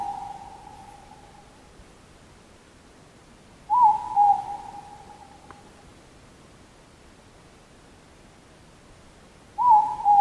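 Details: Morepork at Mt Karioi, North Island, giving soft, mellow two-note hoots, 'more-pork', repeated about every six seconds against a quiet night background.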